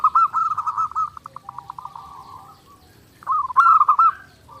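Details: Clear zebra dove song recorded for daily training: a fast series of soft pulsed notes running into a longer coo, then a pause and a louder rolling, warbled cooing phrase.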